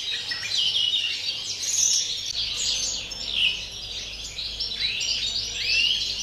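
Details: European greenfinch singing in pure campero style, recorded 30 December: continuous rapid twittering of chirps and short trills, with several rising slurred notes, swelling and fading in loudness, over faint steady low hum.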